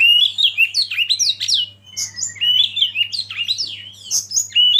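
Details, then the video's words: Dense, lively Oriental magpie-robin song: overlapping sweeping whistles, high chips and warbled phrases, almost without a break, over a faint low hum. "Masteran Kacer Eksklusif"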